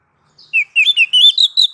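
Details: Oriental magpie-robin, called kacer, in a training recording for cage birds: a brisk sequence of clear whistles, each note bending up or down, climbing steadily in pitch through the phrase.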